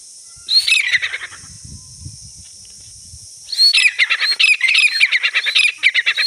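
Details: Grey francolin calls during a fight: a loud burst of harsh, squawking notes near the start, a quieter pause with low rustling, then a dense run of rapid, repeated shrill notes to the end.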